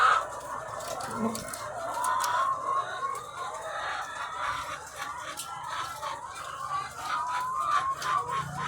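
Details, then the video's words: Farm hens, thousands of egg layers, keep up a dense clucking din with scattered sharp squawks and short high cries across the whole stretch. "The Sound of Thousands of Egg-Laying Chickens"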